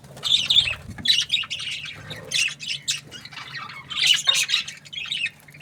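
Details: Budgie chirps and harsh squawks arrive in separate short bursts with quieter gaps between them, over a steady low hum.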